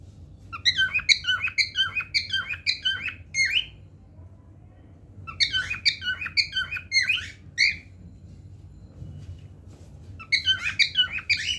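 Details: Cockatiel (Nymphicus hollandicus), song.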